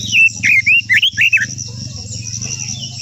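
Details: Quế lâm, or Japanese white-eye, in long-voiced song used to stir other birds into singing: a quick run of about six sweet, high, twisting warbled notes in the first second and a half, then a thin insect drone.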